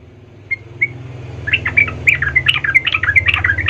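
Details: Yellow-vented bulbul lure song to provoke rivals: two single chips, then a fast, lively chattering run of bubbling, warbled notes over a low background rumble.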